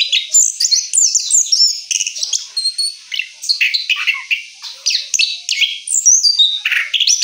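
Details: Orange-headed thrush singing after its moult: a rich, rolling song of quick varied phrases, sweet whistles, trills and sharp chirps running almost without pause, with no other sounds.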